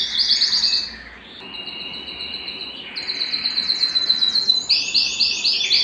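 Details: Excited canary singing at home to court a mate: quick chattering trills, a pause, steady whistled tones, then a burst of fast buzzy rolls at higher pitch.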